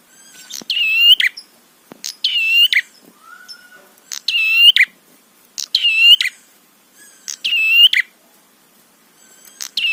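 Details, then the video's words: Prinia song played to provoke other prinias: bright, harmonic, buzzy bursts repeated about every one and a half seconds, six in all, with faint clicks between. "Masteran Suara Trapi Prenjak PANCINGAN EMOSI BIKIN BUNYI"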